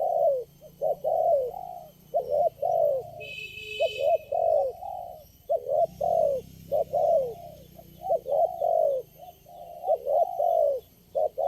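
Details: Spotted dove responding to lure birds during trapping, the only wild one calling at the spot. Repeated hoarse coos arrive in twos and threes with descending ends, and a brief higher rattle near the start.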